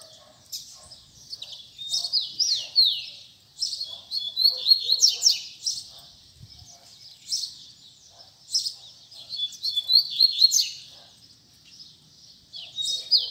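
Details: Double-collared seedeater song of the tui tui zel zel type, given in repeated bursts of rapid high whistled slurs and buzzy trilled phrases separated by short pauses, with faint low background sounds.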